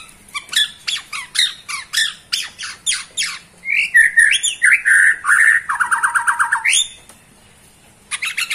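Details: Bornean white-rumped shama in bowing display: a series of harsh, scratchy rasping notes followed by whistled slides and a fast rattling trill, then a short silence and more harsh notes.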